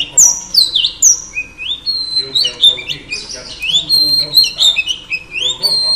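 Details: Female Oriental Magpie Robin singing to rouse males: a continuous run of clear, high whistled notes, many sliding up or down, delivered in quick varied phrases with brief gaps.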